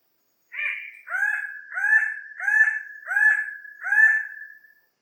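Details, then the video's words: Bird-of-paradise giving a series of six loud, harsh, slightly rising calls about two-thirds of a second apart, each a rasping note with a lower echoing tone; no other sounds. "Burung Cenderawasih birds"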